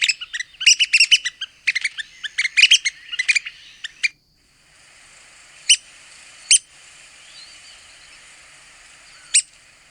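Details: Red-cockaded woodpecker of the southeastern United States, a rapid burst of squeaky, chattering notes for about four seconds, then a quiet gap with three single sharp high calls spaced a second or more apart over a faint steady hiss.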